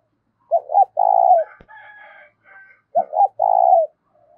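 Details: Two deep cooing phrases from a spotted dove, played to excite decoy birds: a pair of clipped hoots leading into a long throaty coo. A softer, higher chattering bird and a sharp click are heard between them.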